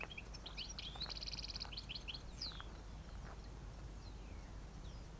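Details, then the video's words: European goldfinches during an autumn trapping of wild birds, 5 November 2017: bright twittering notes and a buzzy trill in the first half, then sparse faint calls over a steady low rumble. "captura otoñal de jilgueros"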